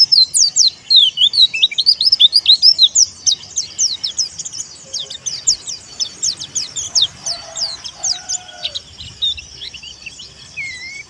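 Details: White-eye of the 'dakun wilis' type, singing loudly to call and provoke rivals, used as training for kept birds: a dense, rapid stream of high, thin, sharply slurred chirps, about two per second, fading toward the end.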